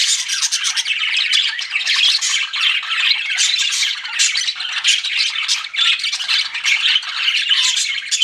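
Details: Chirping pet budgerigars, more than one bird: constant, tightly packed scratchy twitters and squawks with occasional thin whistled notes. The chatter holds an even, energetic level throughout.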